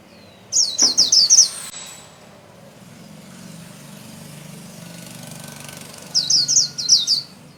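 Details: Caged Japanese white-eye singing the líu style while spreading its wings: two bursts of rapid, very high, sharp twittering notes, separated by a quiet stretch with faint low traffic hum.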